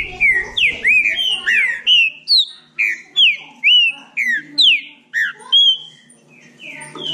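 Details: Green-winged saltator from Bahia in a singing dispute, giving crisp whistled notes that swoop down and up, delivered in an even rhythm about two each second over a quiet background.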